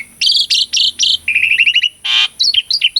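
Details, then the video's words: Full gacor song of an Asian pied starling used to trigger other birds to sing: loud buzzy bursts, a rapid trill of repeated notes, a harsh noisy blast, then short chirps. "KICAUAN JALAK SUREN GACORAN - PANCINGAN JALAK UREN MACET PALING JITU..!!"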